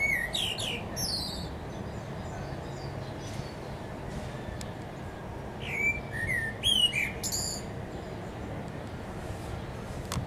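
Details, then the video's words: Common blackbird singing at the top of a tree: two unhurried phrases several seconds apart, mellow fluted notes ending in a thin, high twitter, over a steady low background rumble. "IL canto del merlo"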